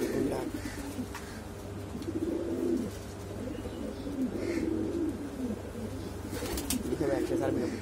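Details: Exhibition Homer and Shiraji domestic pigeons giving boom calls: low, rolling coos swelling and falling in three separate bursts over a constant low mechanical hum.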